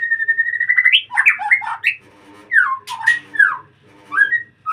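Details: White-rumped shama singing in a breeding cage: a long steady whistle rising at the end, then jumbled chattering slurs and loud downward-sweeping whistled notes with short pauses between phrases.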